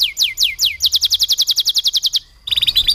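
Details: Kenari canary tutored with lovebird song: three falling whistles, a crisp rapid trill lasting over a second, a short pause, then a buzzy chattering burst.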